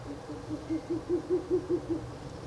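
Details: Nest-box recording on the night of 16 April 2024, the third night of visits: a Ural owl gives a quick series of about nine deep hoots that swell and then ease off.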